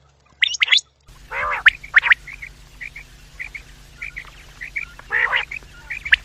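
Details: Quail calling in a recording meant as a quail-trapping lure: short, clipped notes in quick pairs repeat over a low hum, broken by several harsh, rasping squawks.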